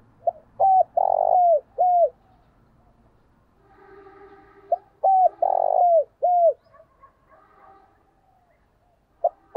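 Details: Spotted dove decoy coo used to lure wild birds: two full phrases about five seconds apart, each a short note, a level hollow coo, a longer rough purring note and a falling coo, with faint chatter between.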